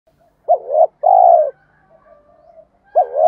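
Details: Spotted dove calls, male and female, used to stir cooing in birds kept for training: a short wavering double note and then a longer, smooth falling coo, with faint soft murmurs between phrases and a new phrase starting at the end.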